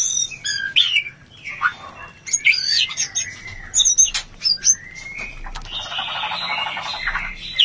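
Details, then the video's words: Mating song of the white-rumped shama meant to raise breeding urge: high whistles and chattering notes, then a long rising whistle over a dense buzzy rattle near the end. "Terapi menaikan birahi murai batu"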